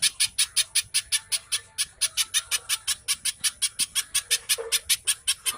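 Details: Little spiderhunter (pijantung pisang) delivering its fast lure song for caged songbirds: repeated piercing, harsh high chips in steady rhythm, with faint softer notes mixed in near the end.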